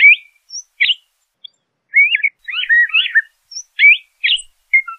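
LeConte's thrasher singing a varied run of short whistled and slurred phrases, mostly mid-high in pitch, with brief pauses between them. No other sounds intrude.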